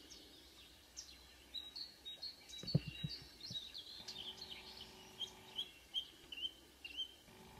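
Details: Marsh warbler song at dawn in June, Kråkstad, Norway: high varied twittering and warbled phrases, then spaced sharp notes, with low knocking sounds early on.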